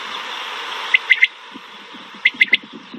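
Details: Pahari batair (mountain quail) in Pakistan gives two quick bursts of three sharp, high, clipped notes about a second apart, over steady hiss and soft low knocks.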